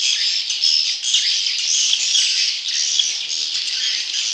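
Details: Continuous shrill twittering from swiftlet chicks, a call used for luring wild swiftlets; busy, overlapping buzzy chirps hold a steady loudness throughout.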